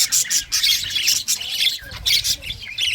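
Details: Loud English budgie squawks and chirps come in short bursts about every half second, harsh and scratchy, separated by brief quieter dips, over a soft low rumble.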